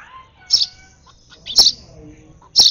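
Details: A hand-fed baby sparrow, excited during feeding, gives three strong, shrill chirps about a second apart. The gaps carry faint low background noise.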